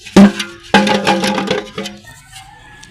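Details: Loud percussive music with sharp wood-block and drum hits, and no animal calls.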